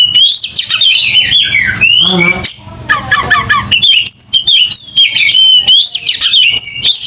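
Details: Oriental magpie-robin pouring out an aggressive fighting song: harsh squawking chatter mixed with bright, sweeping whistles, a brief rasping break, then repeated high looping whistled phrases over low hum.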